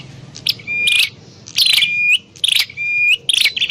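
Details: Grey prinia (prenjak klawu) used for lure trapping gives three phrases, each a crackling buzzy burst ending in a long level whistle that lifts sharply at the end.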